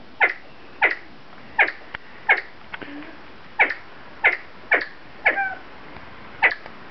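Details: Siamese fireback giving a series of brief, abrupt clucks spaced about half a second to a second apart, some notes trailing into a faint squeal, in otherwise quiet surroundings.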